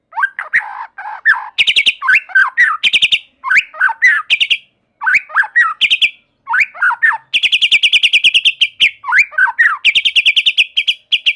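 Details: Energetic white-rumped shama (murai batu) song meant to get other shamas singing: low warbled whistles, then long rapid buzzy trills alternating with tumbling descending whistled phrases, in bursts separated by short silences.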